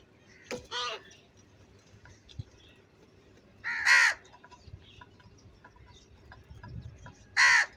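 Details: Very loud crow voice described as angry: three harsh, raspy caws spaced several seconds apart, each short and grating, over a quiet background.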